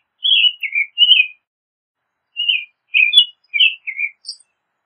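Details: American robin singing two bursts of clear, caroling phrases, short whistled notes that slur downward, grouped in twos and threes with a gap of about a second between bursts; no other sounds.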